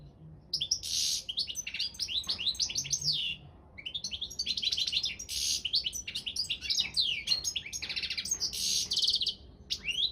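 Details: European goldfinch of subspecies balcanica, entered in an internet world championship for goldfinch song: fast liquid twittering with buzzy, rasping bursts and high trills, delivered in two long phrases split by a short pause near mid-clip.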